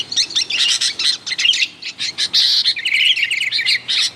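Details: Sooty-headed bulbul calling busily as a lure for wild bulbuls, with clipped chirps in quick clusters and a run of rippling warbled notes toward the end.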